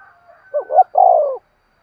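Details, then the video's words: A single 'thúc sung' phrase from a spotted dove, calling meant to excite decoy birds: two brief rising coos, then a long, slightly wavering falling coo, with a faint whistle-like tone just before. "tiếng cu gáy thúc sung dùng kích bổi tập mồi hiẹu quả nhất"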